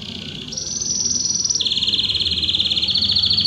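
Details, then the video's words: Belgian canary song in fast trilled phrases: a low roll jumps to a high sustained trill, then falls to a dense mid-pitched rattle that continues steadily, over a soft low background hum. "Canário Belga Estourado esquente seu canário belga em 30 minutos"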